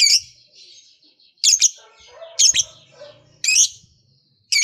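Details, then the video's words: Lovebird giving loud, harsh, buzzy chirps in short double bursts about every second, with faint chatter in between; kept to rouse other lovebirds to sing. "LOVEBIRD LOYO DIJAMIN JADI SEMANGAT BUNYI LAGI, Setelah Mendengar Suara Burung Lovebird Satu Ini"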